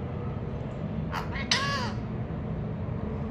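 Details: A pet parakeet gives two quick, hoarse, nasal utterances of learned mimicked speech, the second slightly longer, over a steady low rumble of traffic.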